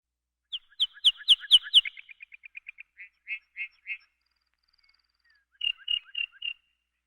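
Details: Prairie race lark sings bright, ringing notes that speed into a quick tinkling run, then slow to a few separate notes before a short burst of similar phrases.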